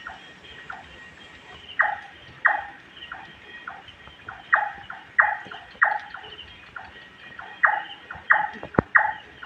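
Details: A Large-tailed nightjar (Caprimulgus macrurus) calls at night from a bamboo grove, repeating loud, hollow knocking 'chonk' notes, roughly one and a half per second in loose runs, over a steady high insect drone; these nightjars call from nightfall until dawn.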